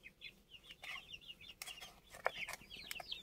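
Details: Group of older chicks recorded 29 June, high falling peeps repeated quickly, partly covered by sharp clicks and tapping knocks.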